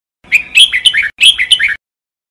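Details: Red-whiskered bulbul, called jambul bulbul, in singing training; two quick bursts of bright warbled notes with rising and falling whistles, separated by a short pause.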